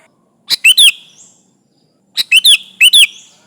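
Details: Sooty-headed bulbul singing to call rivals, used as a lure: two bright, bubbly phrases of quick slurred whistles, each three to four notes, sweeping up then down, with silence between.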